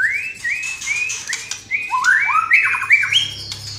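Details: White-rumped shama song with a series of clear rising whistled phrases repeated about every third of a second, followed by tumbling, overlapping slurred notes and a high thin ending.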